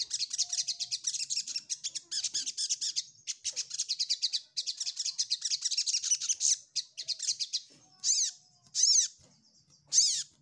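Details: Ruby-cheeked sunbird song aimed at finding a rival: long bursts of very rapid, high twittering notes, broken by short gaps, then three separate loud down-slurred chirps about a second apart.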